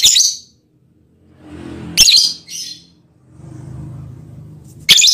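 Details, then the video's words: Lovebird giving its mating call toward a male partner: short, harsh, high-pitched shrieking chirps, one at the start, a pair near two seconds and another at the end, with low rumbling background noise between. "Lovebird's mating call and its effect on the male partner"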